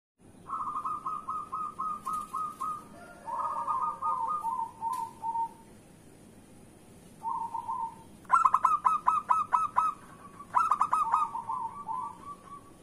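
A zebra dove gives runs of quick, staccato cooing notes in several phrases a few seconds apart. The later phrases are louder and closer, over a faint steady hiss.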